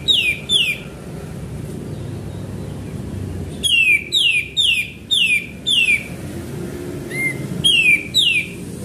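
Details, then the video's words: Sooty-headed bulbul singing in a lure recording: loud, clear downslurred whistled notes, first a pair, then a run of five evenly spaced, then more after a short soft note, against constant low background noise. "Pancingan Burung Kapas Tembak Gacor"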